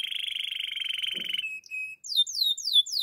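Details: Singing Russian canary delivering a long rapid trilled roll of even pulses, a few short level whistles, then a run of quick descending swept notes repeated several times.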